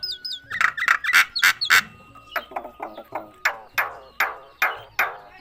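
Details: Myna said to be talking: a rapid run of harsh, voice-like syllables, about three per second, with buzzy bands, then a sustained thin tone and a few squeaky high notes at the start.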